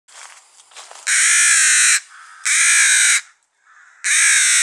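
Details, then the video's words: Rook chick begging at feeding time. It was found on the ground after failing to fly from its nest and is now being hand-fed every two hours. Three loud, harsh, drawn-out rasping caws, each about a second long, come after soft scratchy noises. "Rook Chick feeding time."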